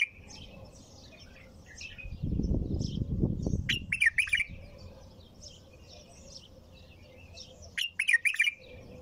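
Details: Nonstop bulbul song in the tur manner: two loud, bubbling, warbled phrases separated by several seconds of soft distant twittering, with a brief rumble of low noise before the first phrase.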